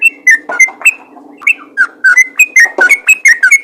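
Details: Sooty-headed bulbul in loud, energetic fighter-style calling meant to set other bulbuls calling: rapid bubbly whistled notes, rising and falling, several per second, in a steady chattering run with no background noise.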